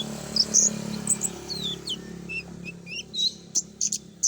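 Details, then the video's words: Common iora lure song of the full "isian" style: quick high chirps and short sliding whistled notes, some rising and some falling, scattered unevenly over a steady low hum. "suara pancingan burung konin full isian"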